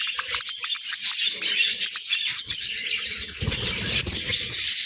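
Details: A group of pet budgerigars chattering in the morning: high, busy twittering and chirps pour out without pause, mixed with low rustling and knocking sounds from the birds moving around.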